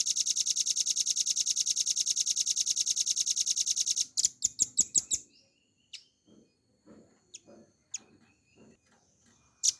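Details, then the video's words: Velvet-fronted nuthatch used as a tutor for cage birds: a fast, high, evenly spaced trill for four seconds, then a few loud sharp chips and scattered faint ticks with quiet gaps. "RAMBATAN PARUH MERAH GACOR FULL NGEBREN NEMBAK PANJANG"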